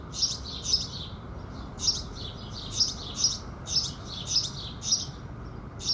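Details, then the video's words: House sparrows singing in the morning with the rising sun: bright, high chirps repeated about every half second, some in quick pairs, over a soft low background rumble. "Sparrows Singing"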